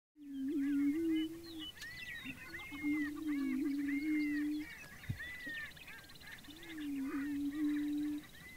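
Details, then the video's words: Prairie chickens booming on a lek at Fort Pierre National Grasslands, central South Dakota, early on a spring morning during their annual ritual. Three low, hollow, moaning hoots, each about 1.5 seconds long. High whooping cackles and chatter are heard behind them. "Prairie Chickens Booming"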